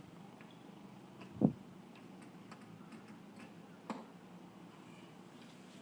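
Quiet room tone broken by two soft knocks and a few faint ticking clicks, with no birdsong.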